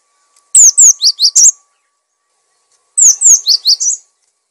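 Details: Cinereous tit singing vigorously, meant for training other birds: two phrases about two seconds apart, each of five notes, high down-slurred whistles dropping into lower quick rising-falling chirps.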